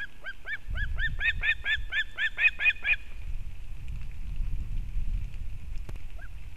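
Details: Female osprey bringing fish to her chick at a nest in Kurzeme, Latvia, 31 August 2024: a rapid run of about a dozen short, sharp whistled chirps with a steady pitch, then quiet with low rumbling wind.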